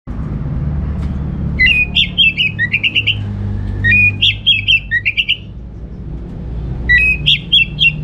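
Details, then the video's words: Orange-headed thrush kept at home in North Bali, Singaraja, singing as a lure and tutor for other birds: three bursts of quick, warbled whistled notes, each burst about a second long, separated by short pauses over a low background hum. "Suara ANIS MERAH Berkicau"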